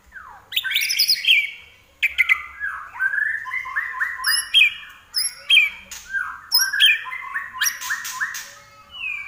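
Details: Common iora, called larwo, singing steadily. Clear phrases of repeated rolling whistled notes come in bursts every second or two, broken by sharp high chips, with brief silences between phrases.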